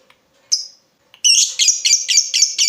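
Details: Chatty lovebird used as a lure so other lovebirds answer back: one isolated shrill note, then a run of loud, harsh, buzzy chattering notes repeated about every quarter second.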